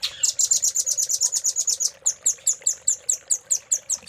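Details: Velvet-fronted nuthatch master song for caged-bird training, cililin filler: a fast run of high piping notes, then a slower series of sharp chirps repeated about every quarter second.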